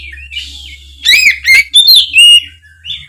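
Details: Loud Oriental magpie-robin song meant to coax a spotted young molting bird into singing back; soft opening notes give way to strong slurred whistles and sharp clicks, with faint low hum.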